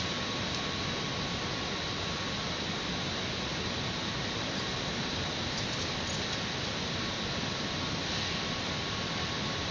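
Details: Only a continuous roar of wind-like static with a thin steady hum; no animal calls.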